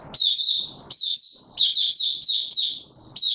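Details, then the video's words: White-eye in a cage, pushed on form: repeated high warbling phrases, each starting with an abrupt note then trailing down, roughly every half second. "Mata Puteh - Raja V2 Pushing him on form buka sing"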